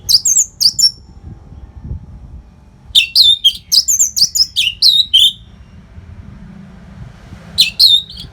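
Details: Anis merah, the orange-headed thrush, delivering a no-pause masteran training song for fighter birds: repeated sharp downslurred whistles with buzzy ends in quick succession, a pause, then more whistles.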